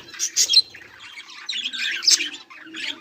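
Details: Budgies recorded 18 July 2023 give a couple of sharp high chirps, then a stretch of soft, rambling warbled chatter with another chirp burst near the end.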